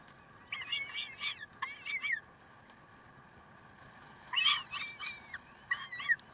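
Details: Peregrine falcons at Karlsruhe on 30 May 2010 at 7:27, giving scattered bursts of harsh, harmonic screeching calls in two groups, with short notes wavering up and down and quieter gaps between, over a steady low background hum.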